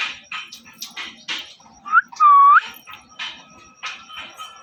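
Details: Parrot calling indoors: short scratchy squawks and chirps, then a loud, clear whistled note that dips and rises, followed by more brief harsh chirps.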